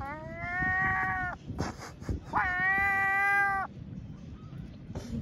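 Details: Seagulls being offered a doughnut make cat-like noises: two long, drawn-out, nasal mewing calls, each about a second and a half, level then dropping at the end, with a short gap and faint low rumble between.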